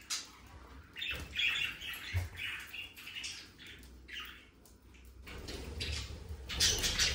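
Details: Soft budgerigar warbling and squawking in a room-like setting, with irregular chirps and low background rumble growing toward the end.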